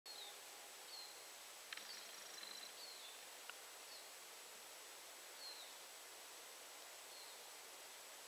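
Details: A Eurasian treecreeper sings faint, very high, thin falling notes, one every second or two, over a soft steady background hiss, recorded at 51.973778, 20.247198.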